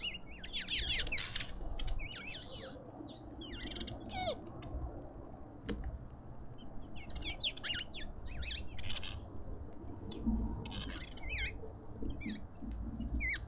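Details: A flock of lovebirds at a suburban garden feeder in Pretoria, South Africa, keeps up scattered shrill, squeaky twitters and short high shrieks throughout, over a constant low background rumble.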